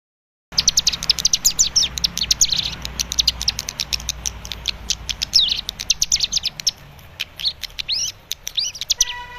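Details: Young captive cigun learning a song used to lure an untrained cigun into singing; rapid high chirps and short sweeping notes repeated in a dense, fast stream, with a few downslurred whistles near the end.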